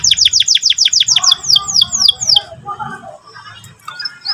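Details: Morning canary song in the ngeriwik-ngerol style. A brisk series of high down-slurred whistles is repeated about five times a second and slows slightly before fading into soft, lower chatter.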